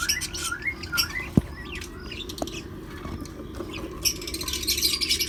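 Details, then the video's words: A colony of lovebirds, cockatiels and budgerigars chatters together in overlapping shrill chirps, squawks and warbles, with a couple of sharp knocks and a low background hum. "lovebirds, cockatiels and Budgies"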